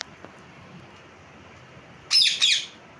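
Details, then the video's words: Parrot giving two harsh, rasping squawks in quick succession near the end, after a quiet stretch with faint background hiss. "Parrot Chirping Sounds | Natural Parrot Sounds | Parrot Calling Sounds"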